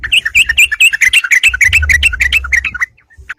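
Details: Yellow-vented bulbul singing as a fight challenge, used as a lure: a fast, continuous stream of liquid bubbly notes rising and falling, over a low rumbling background, ending in near silence.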